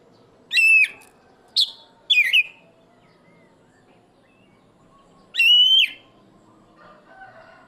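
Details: Black-breasted oriental magpie-robin singing loudly: a few sharp, clear whistled bursts early on, a long pause, then one strong rising whistle, with faint softer notes near the end.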